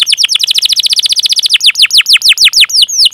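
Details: Gacor canary chirping its long cuit cuit phrase as a lure for young birds: a quick run of sharp downward-sweeping high notes that slow steadily, about eight per second at the start and fewer by the end.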